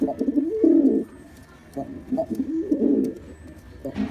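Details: A black male pigeon's display, with two deep gurgling coo bursts separated by a quiet pause, then a brief rustle at the end.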